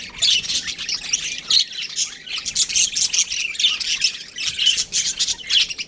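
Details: Continuous high chatter from a budgerigar breeding pair, scratchy warbled notes and sharp squawks tumbling over one another with only slight dips.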